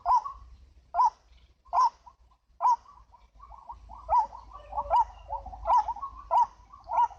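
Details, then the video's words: White-breasted waterhen (ruak-ruak) used as a lure sound: a loud harsh note is repeated about once a second, with soft chattering between calls over a low hum. "MIKAT BURUNG RUAK RUAK"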